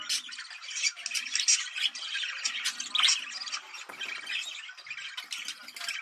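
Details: Budgerigars heard in a recording played to stimulate breeding. Dense, continuous chattering warble of squeaks, clicks and scratchy trills from several birds overlaps throughout, with brief sharp squawks.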